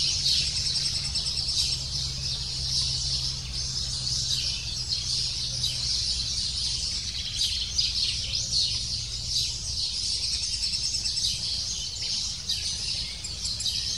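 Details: Nestling lesser spotted woodpecker begging insistently from its parents at the nest; continuous shrill, rapid chirping runs throughout, and a low background drone fades partway through.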